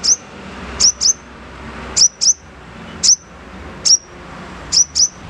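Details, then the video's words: Little spiderhunter (sogon) in rough 'nembak kasar' style, used as a tutoring lure for pet birds: sharp high thin chirps, often doubled, repeated about once a second over faint low background hum. "SOGON NEMBAK KASAR COCOK UNTUK MASTERAN BURUNG KESAYANGAN ANDA"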